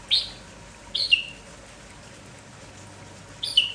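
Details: Morning red-whiskered bulbul (merbah jambul kampong), lively and calling nonstop, gives three quick liquid whistled phrases, each ending in a short downward slur, spaced about a second and two seconds apart.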